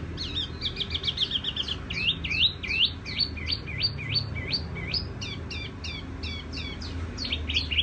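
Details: Tiểu mi songbird giving a long, quick series of high chirped notes. They start as a rapid trill, then become evenly spaced hooked whistles repeated several times a second, over a low background rumble.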